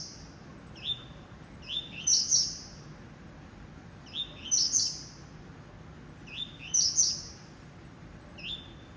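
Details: Blue-black grassquit singing at a breeding aviary: short, high, buzzy two-part phrases that rise into a sharp burst, repeated roughly every two to two and a half seconds over a faint steady background hiss.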